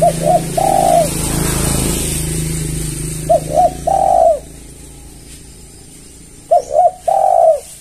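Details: Spotted dove, locally tekukur, calling to draw in other doves: three phrases of two short coos then one longer, fuller coo, repeated every three seconds or so over low rumbling background.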